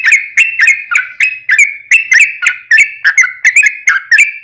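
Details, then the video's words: Yellow-vented bulbul lure song in 'ropel' style to trigger other bulbuls' singing. Crisp, bubbling chirp notes repeat evenly about three per second, each with a sharp click and short whistled tail. "trucukan gacor ROPEL PANJANG buat pancingan trucukan agar bunyi"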